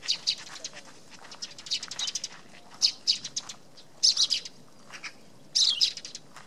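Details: Eurasian tree sparrow at a tree hollow in a poplar on Tatyshev Island on the Yenisei, Krasnoyarsk, in March 2017; sharp, high chirps come in short bursts and clusters with pauses between them.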